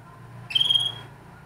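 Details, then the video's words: A Spanish Timbrado canary singing gives one bright, steady whistled note about half a second long over a faint low hum. "Timbrado Kanarya Ötüşü - Spanish Timbrado Canary Song"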